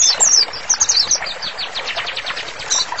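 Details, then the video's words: White-rumped shama singing as a master song for training: a few piercing high notes, then a rapid run of buzzy descending sweeps that softens, ending with one more high chirp. "MURAI BATU GACOR, MASTERANNYA COCOK BANGET UNTUK TERAPI"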